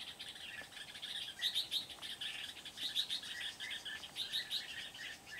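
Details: Red-whiskered bulbul decoy singing at a Kim Bôi trapping spot on 8 September 2019: dense, lively chirps and bright whistled notes in quick bursts, roughly twice a second, over busy background chatter.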